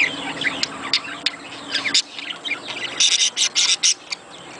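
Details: Budgerigar chatter meant to stimulate breeding: soft twittering and squeaks, then a run of sharp, hissy, evenly spaced bursts in the final two seconds.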